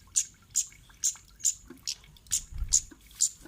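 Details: Lure call of a kemade, used to draw replies and song from other birds: piercing high 'cit' notes spaced roughly every half second, eight in a row, with a soft low bump near the end.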